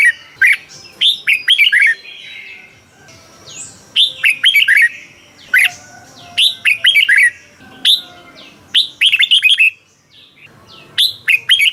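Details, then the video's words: Thai Red-whiskered bulbul song, 'bearn' style, used for training or exciting caged birds: short phrases of four to six liquid, bouncing whistles repeated about every two seconds, with faint chirps in between. "เสียงนกกรงหัวจุก สำหรับต่อ หรือ เปิดให้นกคึก เสียงเพราะๆ"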